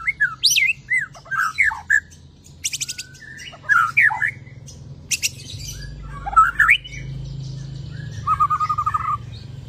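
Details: White-rumped shama singing after moulting: scattered slurred whistles and sharp clicking rattles spaced by pauses, ending in a soft, even trill, over a low background hum.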